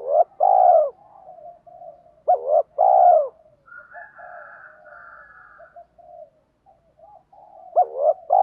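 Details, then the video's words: Decoy spotted dove calling gọi and thúc to lure wild doves: three loud two-part coos spaced two to five seconds apart, with continuous softer low cooing in between. "chim cu mồi gáy gọi - thúc"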